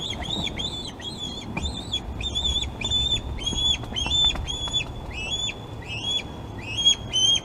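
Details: Glaslyn nest osprey on 26 August, with fish deliveries to the young. Repeated sharp whistled cheeps come nearly twice a second in a long, slightly irregular series.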